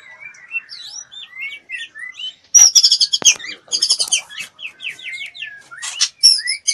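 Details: Female white-rumped shama in breeding condition, wing-fluttering as she solicits mating, pours out quick varied whistled slurs, then loud bursts of high buzzy chattering notes and more sweeping whistles.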